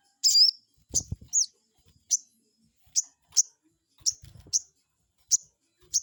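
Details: A crested jay calls as a lure to draw a rival's answer. It opens with a longer slurred note, then gives spaced, piercing high chirps, with muffled low knocking in between.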